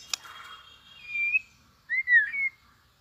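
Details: White-rumped shama, newly in fighting form, delivers soft competing song: a sharp click and faint buzz, then a thin rising whistle, followed by a louder looping whistled phrase with a quick upward flick.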